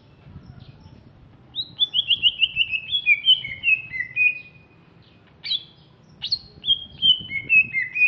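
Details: Greater green leafbird from Alas Purwo, Banyuwangi, East Java, described as larger and fierce-looking, sings a fast descending run of whistled notes. Two sharp high calls follow, then another falling, varied whistled phrase.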